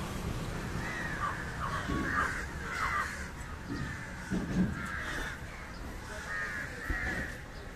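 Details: Indian jungle crow (Corvus culminatus) calling while feeding on fish: a series of harsh, drawn-out caws repeated about every second, with low rumbling background noise.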